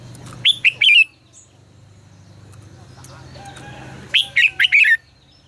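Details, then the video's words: A Red-whiskered bulbul gives 'ché căng lửa' style singing meant to train other bulbuls: a short cluster of loud whistled chirps, a soft murmuring stretch, then a lively run of four or five rippling notes. "Luyện giọng cho chào mào hót hay -Ché căng lửa cực phê, chào mào hót quá phê"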